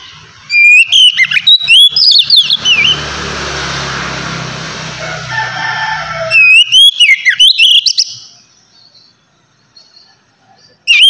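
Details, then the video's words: Oriental magpie-robin singing in the relaxed ngeplong style, meant to prompt untrained magpie-robins to sing: bright whistled, sliding phrases open the recording, a broad hissing noise fills the middle, then more rapid whistled trills return. "kacer ngeplong santai ampuh merangsang kacer bahan agar cepat bunyi"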